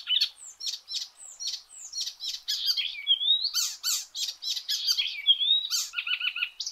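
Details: Icterine warbler singing a dense, varied medley of harsh chattering notes, squeaky upslurred whistles and buzzy phrases, closing with a quick series of short repeated chips.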